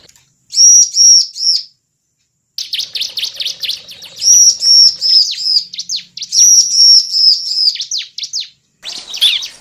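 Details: Bar-winged prinia lure call: repeated bursts of piercing high whistles and rapid descending flicks, grouped in phrases of a second or more, separated by short pauses, ending with a brief rougher note.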